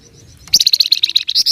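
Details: Flamboyan songbird in 'ngebren' and 'nyecret' singing style, a dense high-pitched run of rapid, evenly repeated sharp notes, about a dozen in a second, starting abruptly after a quiet moment.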